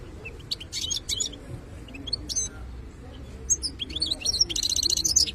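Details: Wild-caught khalawi European goldfinch in song: scattered high twitters and sharp chirps, building into a dense rapid trill near the end over a constant low background hum.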